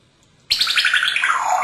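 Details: Captive male African grey parrot at home in Texas, hatched in 1997, imitating water splashing down a drain: a sudden bright hissing rush that slides gradually lower, starting after a moment of quiet.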